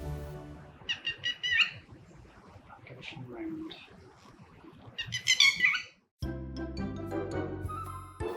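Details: A Red-wattled Lapwing (Vanellus indicus) at Kuah, Langkawi, gives two bursts of sharp, strident, rapidly repeated high notes, under a spoken voice and background music.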